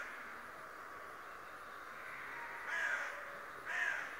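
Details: Raven known for talking and daily spying; after a quiet stretch of hiss, two rough, grating caws close the recording, roughly a second apart.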